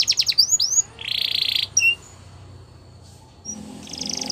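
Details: Belgian canary giving a short burst of song: a few quick high downswept notes, a rising whistle, a steady buzzy trill, then near silence before a faint trill returns.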